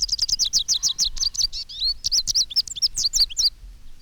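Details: American Goldfinch flock on telephone wires in a medley of canary-like notes, including the pert chickaree flight call and bay-bee alarm note; rapid bright twittering run of high squeaky notes for three and a half seconds, then fading.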